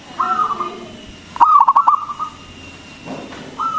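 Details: Zebra dove (perkutut) of local stock, singing loudly as bait to provoke other doves. A level held coo, then a rapid burst of stuttered notes trailing into a longer coo, with another coo starting at the end.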